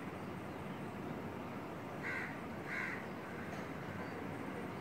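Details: Female Asian koel sitting on a curry leaf tree branch right next to a window, uttering two brief, harsh calls under a second apart over a continuous noisy hum.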